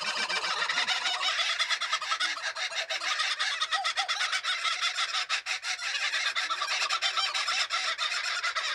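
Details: A male and a female kookaburra, a territorial species, are put together for breeding by a conservationist. They give a harsh, continuous cackling chorus, with loud raucous bursts tumbling over one another without a break.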